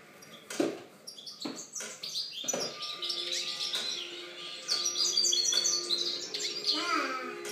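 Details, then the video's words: European goldfinch singing, 2013: bright, rapid twittering and metallic chirps run continuously, broken by several sharp knocks or clicks and a steady low tone, with a rising slurred note near the end. "Chant chardonneret"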